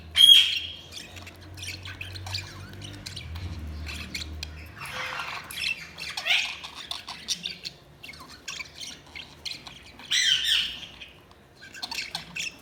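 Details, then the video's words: Budgerigars chirping intermittently, loud squawky chirps at the start and near the end with softer chatter between, over a low humming background. "Budgies Sounds| Budgies Chirping sound"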